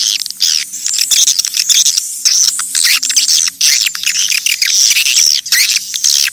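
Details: Wild swiftlets used as a lure call to attract swiftlets: continuous high twittering from many birds, shrill trills and chirps overlapping without pause, with a faint low hum beneath.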